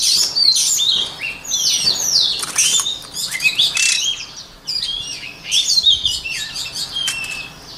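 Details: White-rumped shama used as a voice-training model for shamas pours out loud, rich song of fast whistles, downslurs and buzzy trills in several bursts, with short quieter pauses between.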